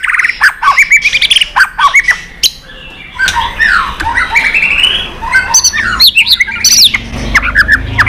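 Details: White-rumped shama in intense competition singing with tail-flicking: rapid sharp whistles and chirps, a rougher stretch of slurred notes, then a varied twittering run over faint background noise.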